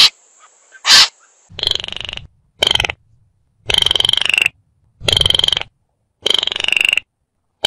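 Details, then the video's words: Baillon's crake calling: dry, frog-like rattles of rapid pulses, each burst under a second, repeated about five times with short gaps, after a brief sharp click at the start. "Baillon's Crake Bird Sound"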